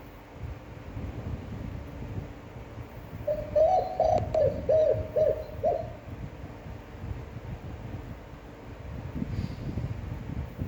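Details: Spotted dove cooing in a standard voice used to train other doves: a soft series of low coos, one longer then several short, partly masked by rumbling low background noise.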